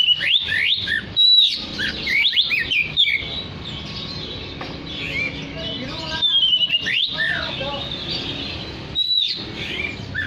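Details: Oriental magpie-robin in full song, used to draw in other magpie-robins: bursts of rapid, sweeping whistled notes at the start, a quieter stretch mid-way, then renewed rising and falling whistles, over faint background noise.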